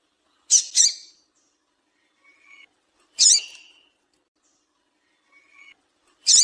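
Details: Female double-collared seedeater call used to stimulate a male to sing: loud, sharp, high chip notes, a quick pair then single notes about three seconds apart, with faint short rising whistles between them.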